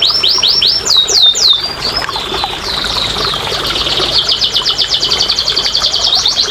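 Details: Canary song for training quiet canaries to sing: looping downward whistles at the start, a held high tone, then a long fast trill of repeated pulses.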